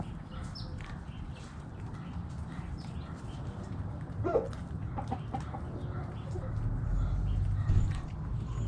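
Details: Hens in a backyard flock clucking: short, clipped notes in loose bursts, busiest near the middle, set against a constant low-pitched hum.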